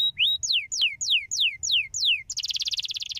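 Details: Canary singing to stimulate other canaries: a series of clear descending whistled slurs about every third of a second, breaking into a fast buzzy trill.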